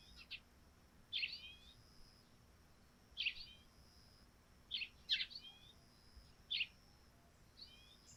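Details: Eurasian tree sparrows at a dew-covered thatched-roof house in the morning give short, bright chirps in scattered bursts, some doubled, every second or two over a soft steady hiss.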